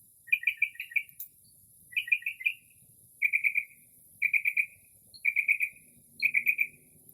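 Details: Night-singing Northern mockingbird in early spring, mimicking assorted bird calls outside a house; six evenly spaced bursts, each a rapid trill of four or five clipped notes, with a faint low hum late on.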